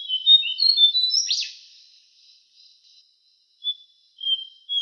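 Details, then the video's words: Javan cochoa song from a songbird training recording: a brief run of high chirps ending in a harsh sharp note, then a pause and a few thin, high, level whistles. "Masteran suara burung jongkangan"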